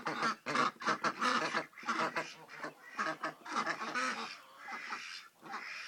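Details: Indian Runner ducks on a ranch in Coalinga, California, in November 2010: a flock giving loud, nasal, harmonic quacks in fast, uneven bursts of several notes, with the calls overlapping, then fading into softer, scattered quacks.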